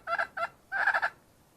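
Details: Red junglefowl hen, wild, giving a few quick clucks followed by a longer burst of four or five fused, raspy notes, then silence.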